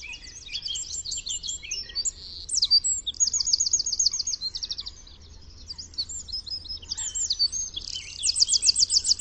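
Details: Eurasian wren song from a wild bird, a long, loud, high-pitched outpouring of rapid warbled notes and fast machine-gun trills, rising and falling for about nine seconds.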